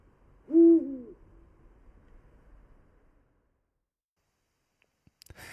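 A Eurasian Eagle-Owl gives one deep, booming hoot, swelling briefly then fading, followed by silence and a few faint clicks near the end.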